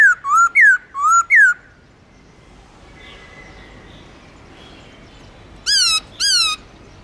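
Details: Black-throated laughingthrush, Garrulax chinensis, singing its long-slurred forest-voice song: two pairs of clear swooping whistles, a quiet pause with soft background hiss, then two bright harmonic-rich whistled notes.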